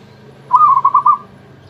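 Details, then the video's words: Single quick zebra dove phrase from a champion bird: a bubbling run of about five pulsed coos at one mid pitch, lasting under a second, over faint low hum. "burung perkutut juara ecek ecek"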